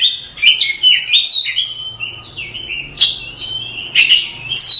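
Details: Oriental magpie-robin masteran song, a tutoring recording for training cage birds: varied whistled and chattering phrases, some rising and some falling, with sharp bright notes, delivered in quick bursts with short gaps.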